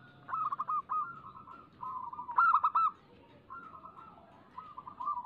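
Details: Local zebra dove song used to lure doves into singing: a run of rapid rolling coo phrases at a steady pitch, one louder trilled burst in the middle, then softer repeated phrases.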